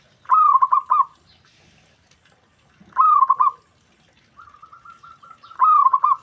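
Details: Zebra dove, known locally as perkutut, with other doves reported to answer immediately; three pulsed coo phrases roughly every two and a half seconds, and between them a steady, even series of softer beaded notes.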